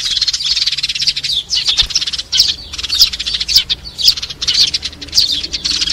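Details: Flock call of sparrows used to lure them into traps: nearly continuous busy chirping with louder accented notes popping out roughly every half second over the chatter.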